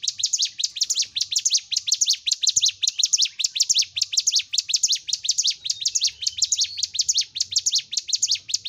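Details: Bar-winged prinia (ciblek gunung) in full, constant song for training caged birds: an unbroken stream of sharp, high, twittering notes, quickly repeated at an even pace throughout.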